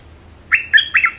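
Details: Brief bulbul phrase of three loud, rich, slurred notes in quick succession, bubbly and slightly throaty, against a quiet background.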